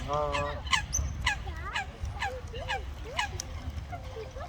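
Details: Common moorhen adults with their chicks in water. It opens with a harsh, strongly harmonic call, then about eight short, sharp calls follow at uneven intervals, some bending downward, over steady low background noise.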